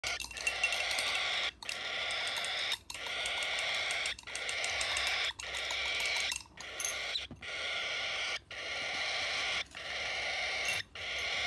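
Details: A motherless cockatiel chick being hand-fed in Iskenderun begs in raspy, hissing bursts of about a second, with brief pauses between them, steady and insistent throughout.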